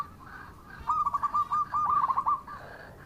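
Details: Local zebra dove, a male in good voice, giving a burst of rapid chattering coos around one pitch in quick succession, with faint background hiss.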